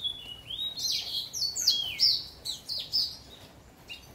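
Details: A young orange house finch sings a rapid, jumbled warble of high, slurred notes and buzzy chirps, lasting about four seconds against a quiet background.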